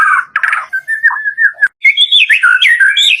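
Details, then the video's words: Full-variation lure song of a white-rumped shama, meant to prompt caged birds to sing: rich slurred warbling phrases, a brief gap, then quick, high, rising and falling whistled notes. "SUARA PANCINGAN BURUNG MURAI BATU DOOR FULL VARIASI"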